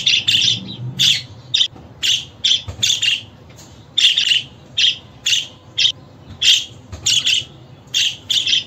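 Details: Budgerigar repeating sharp, high chirps about twice a second, some harsher and broader than others, in an even, lively series.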